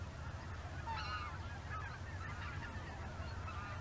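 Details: Distant honking of a greater white-fronted goose flock flying in formation near Izunuma, Miyagi, Japan, before dusk on the way to feed; scattered nasal calls over a strong low background rumble.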